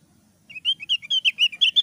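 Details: Thick-browed Javan grey-throated white-eye singing in the ngeplong and ngeriwik style: after a quiet start, a quick series of short rising and falling whistled chirps, about six per second, growing louder.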